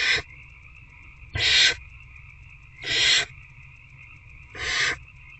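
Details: Wild barn owls in a nest box at night, 19 February 2024, an adult feeding an older owlet with a rat: four harsh, breathy hissing screeches, each about a third of a second, repeated roughly every one and a half seconds over a steady electrical whine.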